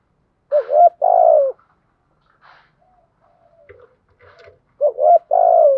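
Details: Spotted dove thúc coos meant to excite and train decoy birds: a quick rising double note leads into a long, slightly falling coo, twice, separated by quiet scattered chatter.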